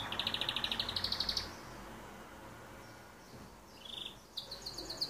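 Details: Male canary singing, which serves to attract a female, show territory ownership and prove fitness. A fast, evenly repeated high trill lasts over a second, then a pause, a short note, and another rapid trill over a steady background hiss.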